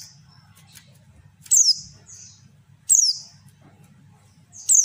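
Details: Female white-eye calling to make males answer; loud high descending chirps repeated roughly every 1.5 seconds, separated by faint softer notes, over a low steady hum.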